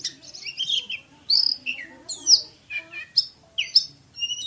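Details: Oriental magpie-robin (kacer) singing in fast, tightly packed bursts of the style called "tembakan" (shooting): loud whistled and buzzy high phrases, sharp downslurred notes and scratchy chatter, separated by brief pauses.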